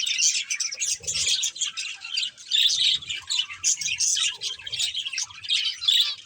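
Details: Two budgies, a breeding pair, keep up a continuous high chattering warble of quick chirps and squeaky notes, with brief soft knocks in the background.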